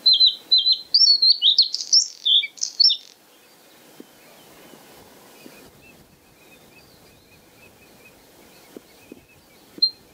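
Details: A white-spotted bluethroat (Luscinia svecica cyanecula) at Kølsen-Skals Engsø on 10 April 2020 sings a fast, varied three-second burst of high, sharp chirps and twangy notes, then falls quiet apart from faint distant calls.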